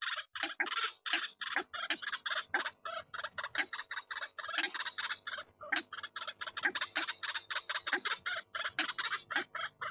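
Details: White-breasted waterhen: a harsh, croaking chorus of rapid rasping notes, pulsing almost continuously for about ten seconds with only brief gaps, loud and buzzy throughout.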